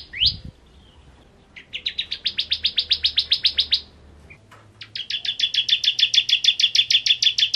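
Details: Full ngentrok song of a Kristal-type bar-winged prinia: one rising note, then two long stuttering trills of about fifteen and twenty rapid high pulses, the second slightly quicker and unbroken.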